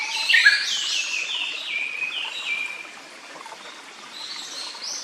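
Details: Japanese paradise flycatcher at a nest site in a still forest by a stream; an opening burst of loud descending whistles trails off into softer notes while flowing water continues.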